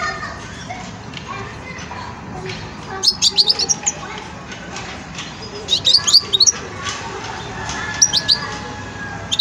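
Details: Juvenile European goldfinch practising song while still learning it: three clusters of rapid, high-pitched tinkling twitters spaced a few seconds apart over a steady low background hum.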